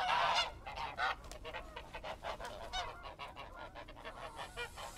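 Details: Loud goose honks open with a strong harsh blast, then shorter nasal calls follow at a quick, irregular pace and gradually grow softer.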